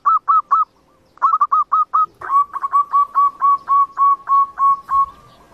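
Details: Zebra dove song used as a lure for trapping: rapid series of soft cooing notes near one pitch, a short burst, then a longer run of evenly repeated coos about five per second.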